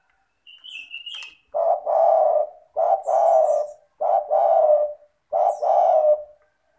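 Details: Tekukur (spotted dove) in full voice, played to stir silent doves into calling: a faint thin whistle and a click, then four low, rough coo phrases in a steady run, each a short note joined to a longer purring note.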